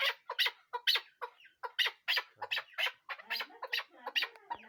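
Chukar partridge giving harsh, clucking chuk notes about three times a second, running into a rough, rhythmic chatter.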